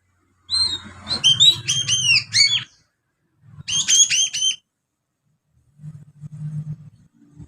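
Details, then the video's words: Juvenile Oriental magpie-robin ngriwik practice, copying sparrow phrases: rapid bursts of sharp chattering, downslurred notes, each run lasting about two seconds, separated by a pause, with a soft low hum underneath. "Kacer Muda ngriwik Isian burung gereja."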